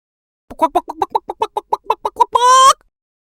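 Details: Chicken giving a quick run of about twelve short clucks, roughly eight per second, ending in a longer, drawn-out squawk.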